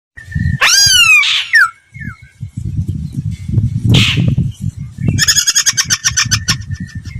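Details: Laughingthrush song used as a voice-training lure: a loud rising series of slurred whistles, a steady thin note, then a burst of rapid repeated chips, over low rumbling background noise.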